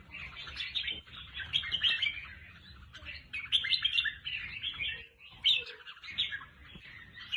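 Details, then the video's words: Red-whiskered bulbul song used to excite caged birds or for decoying: dense, overlapping chirpy warbled phrases in quick bursts, several voices at once, with short pauses near the fifth second and no other clear sounds. "เสียงนกกรงหัวจุก สำหรับต่อ หรือ เปิดให้นกคึก"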